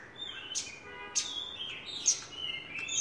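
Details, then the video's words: Javan bush lark song, a few sharp high ticks spaced about half a second apart over soft sliding whistles, ending in rising chatter. "Branjangan gacor lark"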